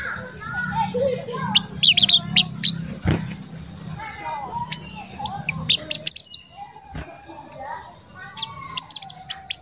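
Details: Crested jay in an energetic calling state, used as a lure to provoke other crested jays to call. Sharp, very high chirps come in quick clusters, with softer lower twittering, faint background murmur and a couple of clicks.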